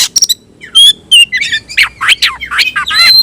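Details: Oriental magpie-robin (kacer), a caged bird, in tayoraky-style song: loud clipped whistles and harsh ticking notes, then a run of rapid descending and rising slurred phrases.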